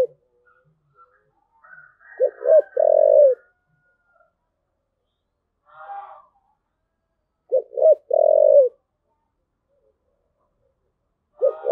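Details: Three spotted dove thúc gù phrases roughly five to six seconds apart, each two clipped notes then a long, level coo, with faint higher chattering before the first and a soft note between.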